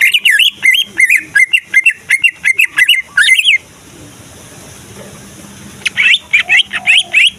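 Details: Male greater green leafbird, a Kalimantan competition bird, singing energetically to provoke other leafbirds into singing and fighting. About a dozen sharp, quick whistled notes come in a rapid series, then a hissy pause, then six more bright notes.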